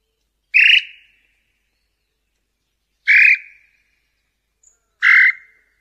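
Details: Tataupa tinamou song, played to attract males and females: three separate loud whistles, each starting strongly and then trailing off. The whistles come roughly every two to two and a half seconds, against a silent background.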